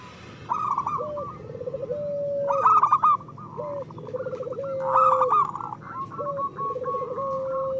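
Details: Zebra dove song played to stir silent birds into singing: a low trill leading to a long even note, then runs of rapid rolling coos, the phrase repeated roughly every two seconds.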